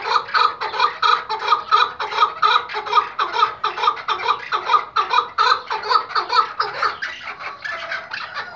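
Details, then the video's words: Iraqi white tethered hunting Chukar partridge delivering a loud, steady, rhythmic chuck-chuck-chuck series, around two notes per second, evenly paced and hoarse, slightly breaking up toward the end. "IRAK BEYAZ BAĞLI AV KEKLİĞİ partridge | EN GÜZEL KEKLİK HENGAMESİ"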